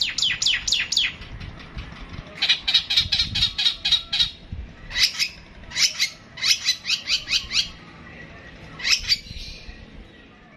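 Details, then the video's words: Long-tailed shrike (pentet) in long 'tembakan' song: fast series of sharp, high, clicking chatter notes in bursts of five to eight, separated by short pauses, ending with a single strong note and fading hiss. "Burung pentet tembak an panjang"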